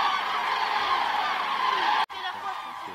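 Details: Massed common cranes on the Hungarian Hortobágy steppe during autumn migration stopover, evening flight to roost: dense overlapping trumpeting calls, abruptly cut after two seconds, then resuming somewhat quieter.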